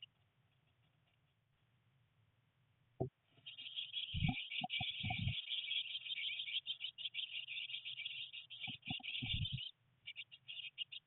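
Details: Three Eurasian blue tit nestlings, day 19 in a nest box during heavy rain and their first flight attempts, keep up a dense, high, hissing chorus of rapid chirps, broken by low thumps, over a steady low hum.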